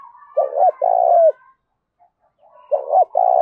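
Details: Spotted dove, a 'bổi' bird in fierce 'thúc đấu' contest calling with 'thổ pha đồng' voice. Two mellow low coo phrases: a clipped double hoot, then a long sustained coo that falls at the end. A quiet pause separates them.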